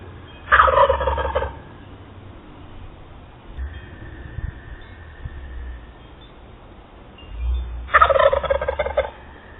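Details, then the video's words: A wild turkey that shows up every morning at 6:30am gives two loud, rapid, rattling gobbles about seven seconds apart, with a faint steady hum in between. "Turkey shows up EVERY day to gobble."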